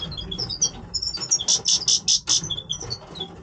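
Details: Major goldfinch breeding voice: high twittering notes and a loud series of five or six rhythmic bright trilled bursts, then softer chirps again.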